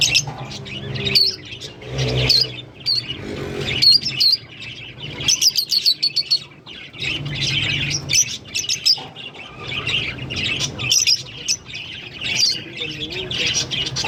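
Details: A green pair of Fischer's lovebirds chirping and singing: dense bursts of high, sharp chirps and short squeaky notes come in clusters throughout, with a low background rumble between bursts.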